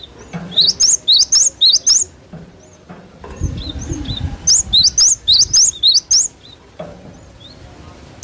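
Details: Cinereous tit song used as a lure for training cage birds to respond quickly: bright, high whistled rising slurs given in quick two-note bursts, several phrases repeated with short pauses, over faint low background rumble.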